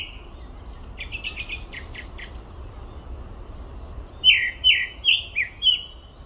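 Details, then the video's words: A grey-backed thrush at Olympic Park starts with soft high squeaks and a quiet rapid twittering. It ends with five loud, clear, downslurred whistles spaced about 0.4 seconds apart. "되지빠귀 울음소리"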